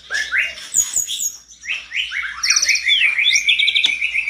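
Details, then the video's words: Vigorously singing mountain tledekan, with other tledekans answering. Varied high chirps give way to a fast series of short falling notes and a quick stuttering trill, repeated rapidly to the end. "Tledekan gunung gacor ngamuk bikin tledekan lain langsung respon gacor dor"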